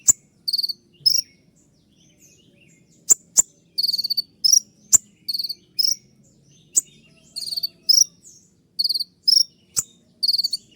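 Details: Kolibri ninja (sunbird) in full 'tembakan' shooting song as a training recording for kept birds: short bursts of high, shrill, tightly packed notes separated by brief pauses and sharp snapping clicks, without background sounds.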